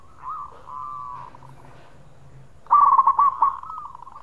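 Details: Local zebra dove in khong song style, sung vigorously as bait to stimulate other birds to sing: faint low cooing notes early, then a loud burst of rapid, rolling, trilled coos near the end.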